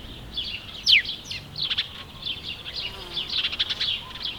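House sparrow giving bright, repeated chirps in quick runs, with one sharp downward-sliding note early on; faint background hum.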